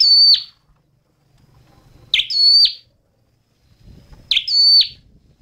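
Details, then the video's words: High, thin phrases from a red-headed flowerpecker, repeated at steady two-second intervals, each a sharp note leading into a level whistle and an abrupt descending slur. Soft low background rumble. "Tiếng chim Sâu Đầu Đỏ hót chuẩn"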